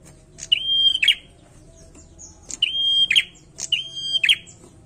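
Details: Bar-winged prinia singing lively: sharp high phrases, each a clipped note, a held level whistle and a buzzy flourish, repeated three times about every second and a half.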